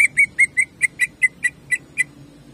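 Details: Greater green leafbird in a lively, shooting song meant to rouse other birds: a series of ten short, bright whistled notes, evenly spaced about every quarter second, with a faint low hum underneath.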